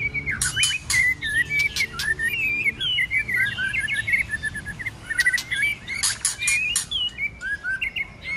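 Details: Fighting song of a white-rumped shama, roused in cold weather to sing hard in many voices with tail flicking: a fast, jumbled run of warbled whistles broken by bursts of harsh clicking notes.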